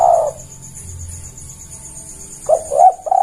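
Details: Spotted dove cooing as a lure, a drawn-out soft coo fading out, a quiet pause, then a fresh phrase of quick rising coos running into a longer note.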